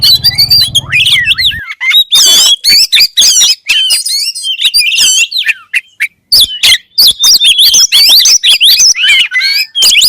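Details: Oriental magpie-robin (kacer) song, presented as a sound that sets other kacer singing at once: a loud, dense run of varied whistled and chattering notes, rising and falling sweeps, rapid trills and sharp chips with brief gaps, a low hum at the start.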